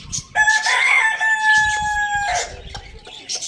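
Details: Farm rooster in a village, among roosters feeding on tomato, gives one loud, drawn-out crow of about two seconds, steady and strongly harmonic, ending in a falling note; faint bird chirps before and after.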